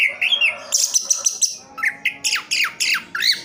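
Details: A caged Orange-headed thrush in Sidoarjo, East Java, mixes a rapid, rattling run of high notes with a series of loud, steeply falling whistled slurs, repeated about four times.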